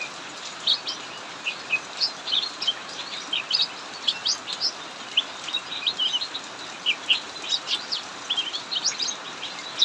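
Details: Cucak mini singing nonstop in an aviary during heavy rain while the other birds hide: quick, high chirps and short twittering notes follow each other rapidly over a steady, hissing roar of downpour.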